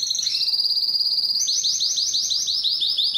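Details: Strong, long canary song aimed at attracting females for breeding: a steady high trill that breaks into faster, higher rolling notes repeated several times a second.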